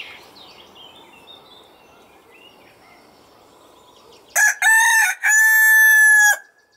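A Marans rooster gives one loud, harsh crow in three bursts, rising and then held, after a few seconds of faint chirping birds and low background hum.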